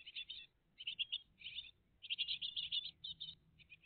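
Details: Nest of a great tit family, live on a June 2023 morning: close, rapid raspy chirps in tight runs, with a long unbroken flurry in the second half and small trailing notes.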